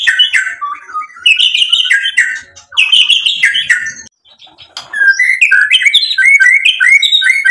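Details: Shama song, the bird provoked into answering with learned phrases: rapid buzzy chattering at first, a short pause, then a string of quick repeated high whistles.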